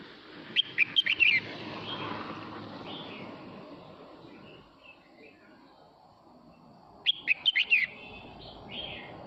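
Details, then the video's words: A male red-whiskered bulbul sings to call its flock, giving two rapid phrases of sharp, warbled whistles about six seconds apart, with quieter notes between and a low rumbling background noise. "Chào mào trống hót gọi đàn"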